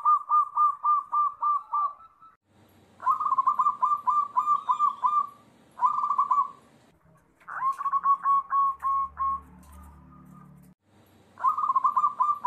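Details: Joined recordings of local perkutut, the Zebra dove, from Indonesia: several bursts of rapid, trilled cooing notes at a steady mid pitch, phrases separated by short gaps, with faint low background hum between some bursts.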